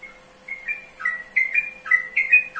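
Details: Trucukan, or yellow-vented bulbul, starts with a lone thin whistle, then builds into quick liquid slurred notes that grow louder, over a faint steady hum.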